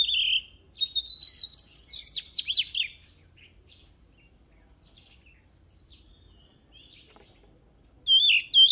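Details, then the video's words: Oriental magpie-robin in energetic song: a sustained whistled note leads into rapid, strongly rising and falling phrases, followed by several seconds of near silence and a final loud looping whistle. "Luyện giọng chòe than HÓT HAY || Kích chòe than hót căng lửa || Suara Burung Kacer Gacor 2023"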